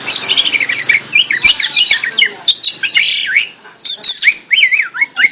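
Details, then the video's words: Greater green leafbird singing while held in the hand, tame and vocal: dense twittering chatter followed by repeated rising-falling whistled notes, with a faint background hum. "Burung Cucak Ijo Jinak Gacor Meskipun Di Pegang Tangan"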